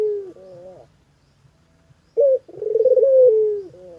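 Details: Spotted dove calling, a bird suited as a household sound: soft low coos, a brief pause, then a short hoot followed by a long trilled, throbbing coo that slowly falls in pitch.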